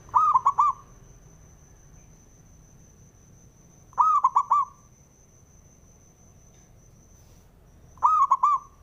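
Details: Male zebra dove singing, used to provoke rival doves into song: three short phrases of rolling, cooing notes, each a quick stutter ending in a held coo, spaced about four seconds apart, over a low background hum.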